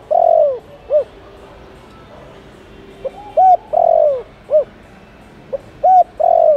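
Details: Lure call of a spotted dove meant to attract wild doves: deep mellow coos in a repeating phrase of a faint lead note, a clipped coo and a longer descending coo, with a pause of about two seconds between phrases.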